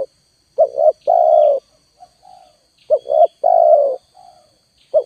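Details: Spotted dove lure with two full phrases of a brief double coo then a long coo, soft lower coos in the gaps and a faint constant high tone behind.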